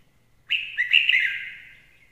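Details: Red-whiskered bulbul giving a single loud, liquid warbled phrase of wavering notes that fades into a drawn-out tail over about a second and a half; faint low hum beneath.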